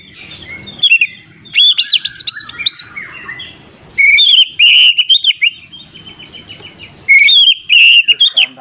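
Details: Song of an oriental magpie-robin intended to coax a reluctant bird into singing: three loud phrases separated by short pauses, mixing arched whistles with a rapid trill of even short notes.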